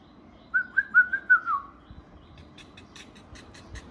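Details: Pet ringneck (rose-ringed parakeet) gives a quick run of five clear, mid-pitched whistled notes, the last sliding down, then faint clicks and room noise.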